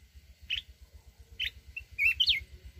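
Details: Mountain red-whiskered bulbul giving its forest-style rousing song. Quick chirped notes build into a lively warbled phrase with a sharp upward whistle at the end, backed by soft rhythmic low thumping.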